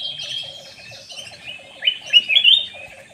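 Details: Black-naped oriole lure call: a quick run of upward-sweeping, squeaky chirps grows louder toward the end, set against steady high twittering and a fast, regular lower pulsed series.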